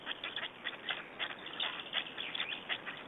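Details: Estonian black storks at a feeding, 20 May 2012, producing loud, wheezy rasps about 80 times a minute in an uneven rhythm.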